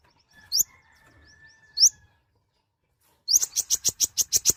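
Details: Tiny nectar-feeding sunbird, called kolibri ninja or konin, gives two sharp rising high chirps, then after a pause a rapid run of about ten bright, clipped high notes.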